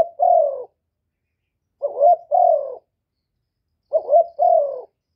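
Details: Spotted dove from Cà Mau, a kept bird recorded without background noise, calling to provoke other doves into calling: low, throaty two-part coos, a short rising note then a longer falling one, repeated about every two seconds.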